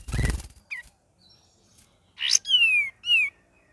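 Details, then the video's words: Cream-vented bulbul in gacor and ngeriwik variation: a loud rough burst, a short chip, then a harsh noisy note followed by two ringing whistles, the first long and sliding downward, the second short and curling. "KAPAS TEMBAK VARIASI GACOR DAN NGERIWIK"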